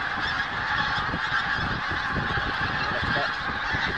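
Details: Geese at Snettisham in the pre-dawn hours, seen at 4 am. An unbroken babble of honks from a great flock, dense and even in loudness.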